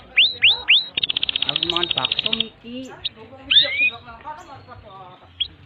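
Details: Canary tutor song for young birds: brief rising whistles, a dense buzzing high trill lasting over a second, then softer warbled lower notes and a single long upswept whistle, with quieter chatter after.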